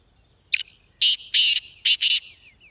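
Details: Black francolin, known locally as kala teetar, gives a short harsh phrase of five rasping, buzzy notes: one brief note, then two longer grating pairs. The call is used as playback to make a kept bird vocal.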